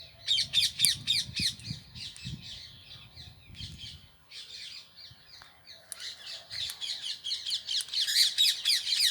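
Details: Indian green ringneck parrots kept in a parrot house, a crowd of harsh, shrill chattering screeches overlapping rapidly for four seconds, a brief lull with scattered notes, then the dense screeching returns, louder toward the end; low rumbling noise underneath early on.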